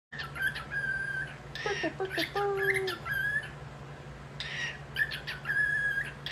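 A cockatiel gives bright whistled chirps and short squawky notes, with a steady hum behind.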